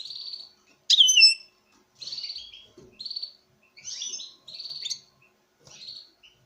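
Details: Male European goldfinch courting a female in captivity: a loud sharp chirp flourish followed by a series of level, wheezy nasal buzzes repeated roughly every second, with short twitters between.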